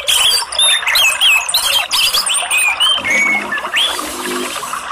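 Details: Orange-headed thrush twittering ('ngeriwik') from Indonesia, used as a therapy sound to prompt singing. Rich run of loud, slurred whistled notes and squeaky chatter, steady and continuous over the few seconds.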